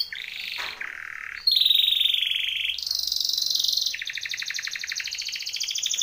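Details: Timbrado canary singing a training song: long rolling trills in steady tours, shifting from low buzzy rolls to a bright high trill and then a fast pulsed metallic series, loud and continuous.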